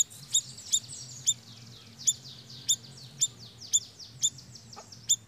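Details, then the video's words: Siri-siri lure song, meant to draw other birds in: sharp, bright chirps with a high overtone repeated about every half second, about ten in all, over a steady high hiss and a low hum. "Suara Pikat BURUNG SIRI SIRI GACORR"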